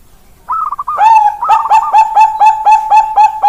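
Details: Zebra dove of the perkutut bangkok type: a brief rolling trill opens, then a steady run of loud, crisp, downward-hooked coo notes repeated about four times per second, strong and clear.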